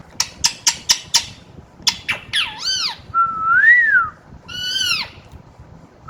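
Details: Household parrot that has started whistling: a run of dry clicks, then harsh arching squawk-like notes, a long wavering whistle rising and falling, and a final buzzy harmonic-rich call.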